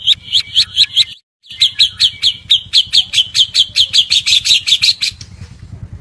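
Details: White-rumped shama (murai batu) lure recording: rapid, even series of sharp high chipping notes, about four per second, with a brief break, over a soft low hum.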